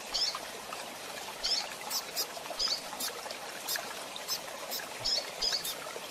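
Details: Male and female rusty-collared seedeaters in captivity calling with brief bright high chirps, some in quick pairs, roughly every second over a constant watery hiss.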